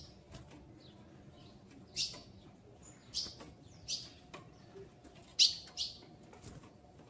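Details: Female ultramarine grosbeak asking for mating, ready to breed: a regular run of short, sharp, high chips, about one every two-thirds of a second, with one louder note.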